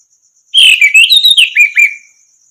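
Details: Orange-headed thrush, recorded as a training song for other cage birds, gives a clear, loud, warbling phrase of varied slurred whistles that closes with two brief downslurred notes. A thin continuous high tone runs underneath.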